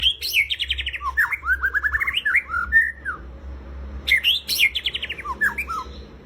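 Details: White-rumped shama, a kept songbird, singing a rich varied song of fluttering whistled trills and sweeping slurred notes, a burst of rapid phrases, a short pause, then another fast trilled run; low hum underneath.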